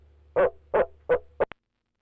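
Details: A male barred owl in a nest box utters three loud low hoots about a third of a second apart, then a clipped fourth note before a sudden cutoff.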